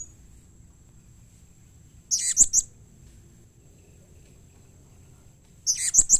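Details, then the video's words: Short clusters of three harsh, high chirps from a blue-crowned hanging parrot, spaced well apart with quiet between, a call said to make other hanging parrots respond. "SUARA Serindit Seperti Ini Paling Di Sukai & Cepat Di Respon Bikin Nyaut Semua Burung Serindit"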